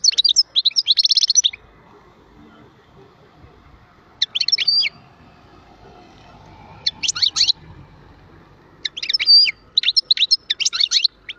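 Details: European goldfinch singing in separate bursts of rapid, high, tinkling twitters, each lasting about half a second to a second, with quiet stretches between them and a low background rumble.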